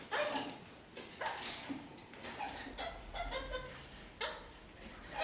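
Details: Soft, scattered kakariki chirps and squeaky notes come in small bursts with brief pauses, while the parakeets clamber upside down on a ceiling.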